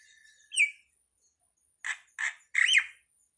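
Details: Short starling phrase: a brief rising whistle, a pause, then two rasping notes and a louder arched, squeaky slur.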